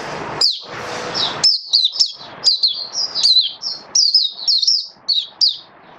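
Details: Oriental white-eye singing in captivity during a song display test: a fast, nearly continuous run of high twittering notes with bright downward slurs, following a brief rustle at the start.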